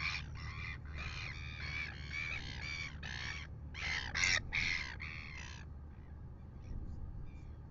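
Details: Red-billed gulls bothering a royal albatross at dawn, 6:27 AM, New Zealand, live nest camera: about a dozen quick, hoarse, squealing calls in a busy chattering run, then fading to wind noise for the last seconds.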